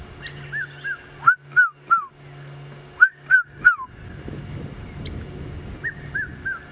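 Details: A red-chested cuckoo, heard but unseen and fairly far off, on a sunset game drive at Djuma, 1 November 2016, gives repeated three-note phrases of clear, falling whistles in quick succession over a steady low vehicle engine hum.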